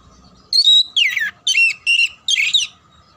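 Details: Kacer, the oriental magpie-robin, singing in a training recording for competition birds: five bright phrases of whistles and harsh buzzy slurs, roughly one per half second, with a faint constant hum beneath.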